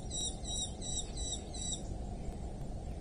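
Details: A Eurasian hobby at a wild nest in rural Dorset, England, on 8 July 2024 at 07:55 gives a quick series of shrill, harsh, high notes lasting under two seconds, over a steady low rumble of wind.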